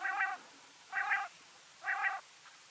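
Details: Three rasping, harmonic notes from a rain quail, each lasting about a third of a second and coming at steady intervals just under a second apart.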